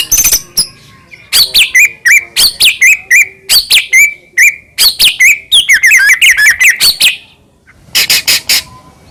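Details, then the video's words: White-rumped shama from Medan in energetic, imitation-rich song meant to lure other shamas into singing: repeated phrases of high sweeping whistles and clicks, a tumbling twittered passage, a short pause, then sharp notes. "murai batu gacor AMPUH buat PANCINGAN murai batu agar bunyi"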